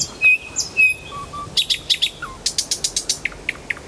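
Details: Nightingale singing in Kuzminsky forest park: a few pure, sustained whistles at two pitches, a lower whistled pair, then a fast run of sharp, evenly repeated clicking notes, roughly eight per second.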